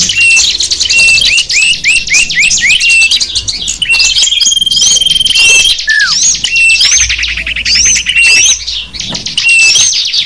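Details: High twittering of small birds, a sapu jagat lure mix used to draw in wild small birds; a series of repeated upslurred notes opens, then dense chatter, a long whistle and a falling slur.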